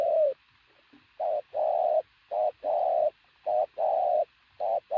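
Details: Decoy pigeon of sturdy, athletic build giving loud cooing: a series of mid-pitched coos, short notes alternating with longer drawn-out ones, often in pairs, separated by brief silent gaps.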